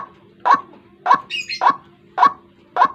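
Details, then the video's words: White-breasted waterhen lure call used in the morning to draw birds closer for trapping; strong abrupt croaking notes repeated roughly every half second, five in all, with a brief higher chirp between the second and third. "Suara pikat burung ruak ruak"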